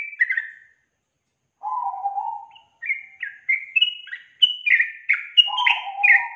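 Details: Sooty-headed bulbul song played as a lure for a young bird that rarely sings: a short bubbly phrase, silence, a low warble, then a run of quick chirpy whistles ending in another low warble.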